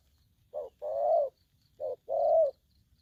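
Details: Two double coos from an aggressive young spotted dove in the 'thổ' style, each a brief soft note followed by a sustained, full hoot about a second later.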